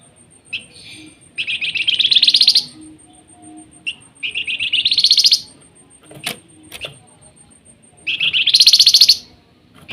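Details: Flamboyan singing steadily in the fluting nyiul style: three loud buzzy trilled bursts, each rising slightly in pitch and lasting about a second, with short chips between them and a faint steady high tone behind.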